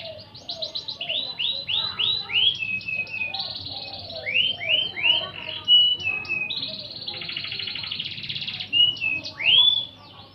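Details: Tutor song of a canary meant for magpie-robins to learn: series of repeated rising-then-falling whistled notes, a long rattling buzz, more slurred upswept phrases and a sharp rising whistle near the end.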